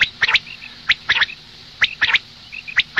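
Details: Female common quail heard in the morning: brief, dry clicking notes in doubles and triples, separated by short pauses, with soft high chirps between them.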